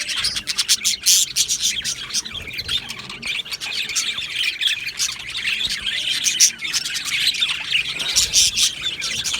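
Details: Australian budgerigars in an aviary colony, recorded 12 July 2025: dense, overlapping high chirps and warbling chatter from many birds, with scattered sharper squawks throughout.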